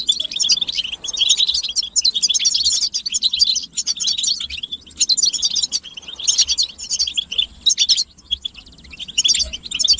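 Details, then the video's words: Massed European goldfinch twittering used to encourage singing; phrases of quick, bright tinkling notes and buzzy trills come in bursts of one to two seconds with brief gaps between. "بتبتة الحسون تحفيز الحسون على التغريد والهيجان علاج صمت الحسون goldfinch stimulation"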